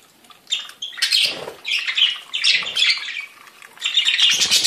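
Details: Budgerigars warbling in bursts: harsh, buzzy chatter with sharper chirps, separated by short quiet spells, with soft low rustling between some phrases.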